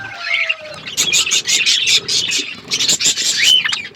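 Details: Budgerigars in their outdoor aviary give bursts of bright high chirps in pulsing groups, with a short whistled note near the end.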